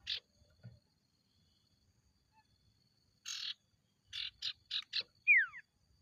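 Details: Ashy tailorbird, the sirtu, on a lure recording: isolated buzzy notes, then a rapid string of four rasping buzzes closed by a sharp downward-slurred whistle, in an otherwise quiet setting.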